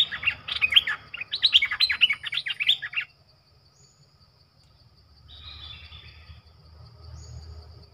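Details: Streak-eared bulbul kept as a lure bird to draw in wild birds, giving a lively burst of quick, bright chirping notes for about three seconds, then quiet with only faint distant chatter and low background hum.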